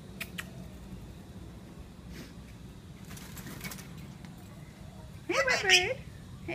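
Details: Male pet parrot chattering in a trance-like state while having a shower: a loud burst of warbling, harmonic chatter near the end, preceded by scattered soft clicks and splashes.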